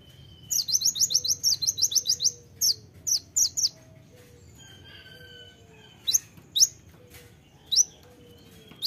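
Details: Sharp kolibri ninja (konin) song opening with a fast string of high, tinny notes, followed by scattered single chips and short phrases with a few softer mid-pitched tones between.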